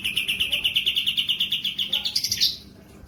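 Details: A kapas tembak in breeding condition, tail spread, delivers a fast, even, high trill of rapid repeated notes lasting over two seconds and ending in a brief rising flourish.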